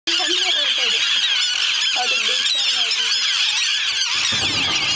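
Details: Migrating River terns on their yearly visit to an island at Bhadra Resort, Karnataka, India, fill the air with a dense, overlapping chorus of harsh, squeaky calls, with faint lower voices, possibly people, underneath.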